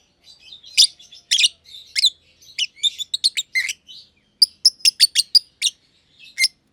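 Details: Caged lovebirds, a young green personata under a year old and an older green pied personata, chattering in a simple aviary: short harsh chirps mixed with thin warbled notes, then a steady series of clipped chirps.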